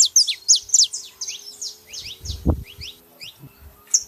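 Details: Saffron finch female and male: a fast run of loud, sharp chirps at the start, then softer scattered tweets, with a low thump midway and a final bright note.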